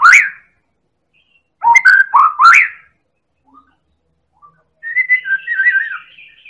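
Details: A Medan white-rumped shama in a lure recording sings loud, rich whistled phrases: a rising whistle, then three quick mellow notes, then a fluttering warbled run. The background is quiet.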